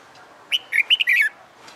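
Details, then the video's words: Caged red-whiskered bulbul under fighting-song training gives a quick rollicking phrase of clear whistled notes, dropping in pitch at its close. "Luyện Chào Mào Hót Đấu"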